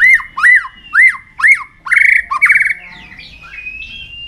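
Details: Tail-flicking white-rumped shama singing to stimulate young birds for contests: four loud arched whistles about half a second apart, two buzzy rolled notes, then a fading steady whistle.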